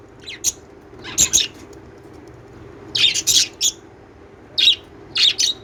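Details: Lovebird singing and chirping, with scattered bursts of shrill, raspy chirps, some in close pairs or triplets, separated by short quiet gaps; faint steady hum beneath.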